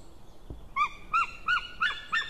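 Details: Calling male white-tailed eagle, recorded 16 May 2016 around midday: five clear, ringing yelps, each a brief arched note, spaced roughly every third of a second, with faint background hiss.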